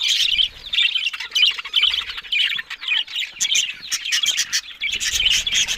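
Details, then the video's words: Budgies, Australian parrots, utter short bursts of squeaky, buzzy warbling separated by brief gaps, with sharp clicks and a few clear whistled notes scattered through. "Beautiful Talking Budgies Australian Parrot Sounds"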